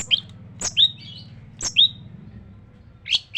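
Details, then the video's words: Long-tailed shrike in song with full, harsh filling phrases: sharp high chips and short rasping notes come in scattered bursts roughly once a second, over a steady low hum. "burung cendet gacor full masteran kasar kasar"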